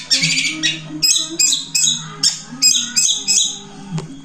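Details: Long-tailed shrike song in a fluent one-breath, three-song style: sharp, high, separated chirps and short trills, spaced about every half second, with a low background hum.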